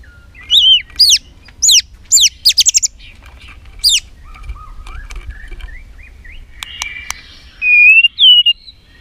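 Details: White-rumped shama female voice used to excite males to fight; scattered sharp descending whistled notes and clicks, a quiet pause with soft chirps, then two clear upslurred whistles.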